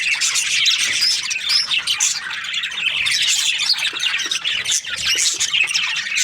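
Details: Parakeets chirping in breeding season: many budgies warbling and squawking together, with a few sharper whistled notes standing out over the steady chatter.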